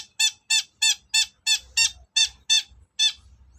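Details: Long-tailed shrike sound played to provoke other shrikes into agitated, answering song: a series of nine harsh, squeaky, harmonic-rich notes, each roughly a third of a second apart, with faint low background hum.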